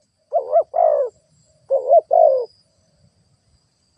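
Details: Spotted dove used as a ground lure bird, cooing to stir up wild doves: two paired, husky, mid-pitched coo phrases, each a short note then a longer wavering one, with quiet pauses and a faint steady high whine.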